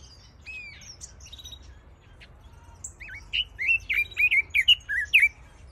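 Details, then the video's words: Red-billed leiothrix (Chinese nightingale, Pekin robin) with scattered thin high chirps first, then a fast burst of about seven looping whistled notes in the last two seconds. "Chinese Nightingale | Pekin Robin Song"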